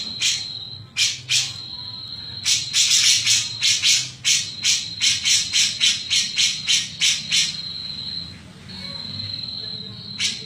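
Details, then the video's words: Grey-cheeked bulbul singing in the "mbeset-mbeset" style: scattered then rapid series of coarse, scratchy bursts, roughly three per second, over a constant thin high-pitched drone. "Cucak Jenggot Gacor "Mbeset-mbeset""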